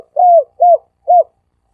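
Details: Three soft arched coos from a dove used as a lure, each under half a second and spaced about half a second apart, the first longest; silent background.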